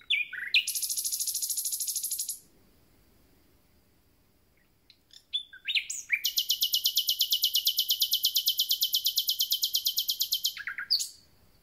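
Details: Common nightingales starting their concert after arrival: a two-second rapid buzzing trill, a pause with a few soft notes, then a longer rattling trill of about five seconds. Both trills are very fast and even.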